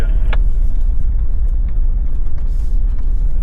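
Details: Loud vehicle engine rumble dominates throughout, with a few short knocks and rattles; no animal sounds.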